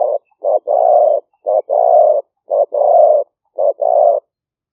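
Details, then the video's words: Lure recording of a 'liu fueang' spotted dove in Roi Et, Thailand, taken live in rice fields during the rainy season: strong two-part coos, a brief note then a drawn-out one, four times in steady rhythm. "หลิ่วเฟืองเสียงกลาง#5 ต่อกระโจม เสียงนกเขาใหญ่"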